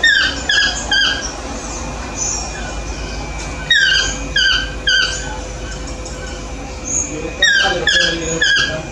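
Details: Morning calls of a yellow-throated toucan, repeated loud croaking yelps that drop in pitch, given in bursts of several notes with short pauses, against constant background hum and noise.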